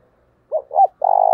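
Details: Spotted dove cooing in the 'giọng thổ' style ('thổ thúc', 'gáy gọi'), used for training newly caught birds: two quick bent notes rising and falling, then a sustained low, slightly rough coo.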